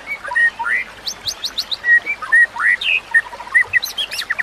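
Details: White-rumped shama singing training song for young shamas: a varied run of loud whistles, upslurred phrases and quick high ticks, short notes every half second or so, with a constant watery rush behind.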